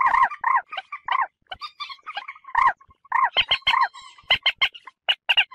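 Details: Common moorhen calls used as a lure for bird hunting: bouncing, hoarse kurruk-like notes repeated in a short series, followed by sharper, higher clucks in quick succession.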